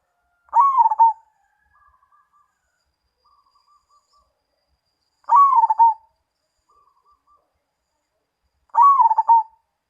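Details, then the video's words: Perkutut (zebra dove) of Mojopahit type repeating its cooing song three times over ten seconds, each phrase a low mellow coo chopped into rapid beats, with quiet soft notes between phrases and no other noise. "Perkutut Mojopahit"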